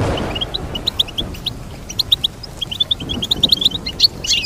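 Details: Steady stream of high goldfinch chirps and twitters, with a louder jumble toward the end. A low rumbling background is heard throughout.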